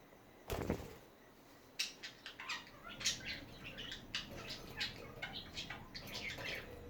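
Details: Chatting budgerigars giving a steady run of short, sharp squawky chirps and clicks, one after another, after an opening burst of noise.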